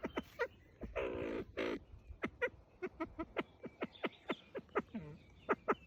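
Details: A copper pheasant threatens with a rough, hissing burst lasting about a second, followed by a steady series of short, sharp clicks and taps, roughly two to three each second, with faint higher squeaks between them.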